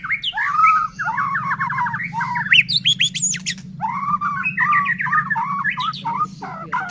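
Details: Murai batu, or white-rumped shama, in full song meant to stir other shamas to sing: dense, rapid warbling with buzzy trills and sharp high notes, delivered with barely a pause over a constant low background hum.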